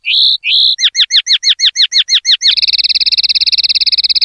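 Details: Common linnet singing in the pardillo limpio clean style: two drawn-out whistles, a run of rapid curling chirps, then a long, fast, even rattle.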